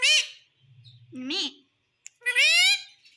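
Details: A parrot utters a short harsh syllable, a softer low murmured phrase, a click, then a long loud nasal speech-like call with rising pitch.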